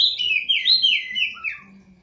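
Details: Kept prinia, bathed nightly, singing a quick run of bright, sliding whistled phrases that drop in pitch and fade out toward the end.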